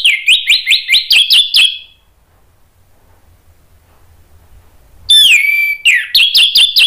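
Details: Orange-headed thrush song used as a lure to prompt other thrushes to answer: a fast run of repeated high whistled notes with sharp clicks, a quiet pause, then a loud slurred whistle and another rapid repeated series.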